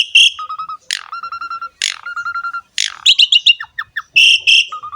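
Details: Asian pied starling singing prolifically as a training song: harsh buzzy bursts alternate with runs of low level piping notes, followed by quick high chirps and more rasping calls, repeated roughly each second.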